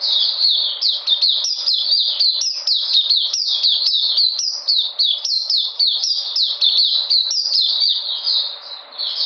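A white-eye sings a continuous, high, rapid twittering of sweet chirps at about three notes per second, with no other sounds behind it.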